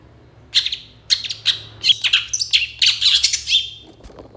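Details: Lively long-tailed shrike song used to provoke other shrikes into answering; grating, raspy phrases run together into a continuous scratchy chatter with a thin whistle, faint low hum behind.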